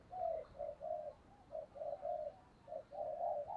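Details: Decoy spotted dove murmuring a run of soft, low coos about once a second to call in wild doves, the notes even and slightly buzzy over a constant hiss.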